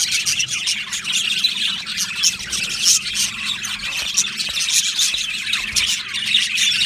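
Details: Budgerigar colony kept in an aviary, many birds chirping at once in a steady high-pitched warbling stream punctuated by brief squawks, with a faint low hum underneath.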